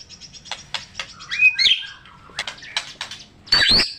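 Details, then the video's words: White-rumped shama singing, used to rouse silent birds into song: scattered clicks and short chips, a brief whistled flourish, then a loud burst of high notes at the end. "Awass Murai Batu Macet Auto Bangor MATERI // Dengan Suara Murai Batu Gacor Isian MEWAH"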